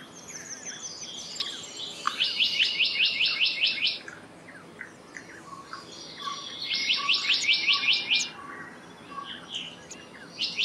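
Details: Black-naped monarch repeating a rapid string of about eight clear, sharply descending notes. A second string follows after a pause, and a third begins at the end. Soft twittering from other birds fills the gaps.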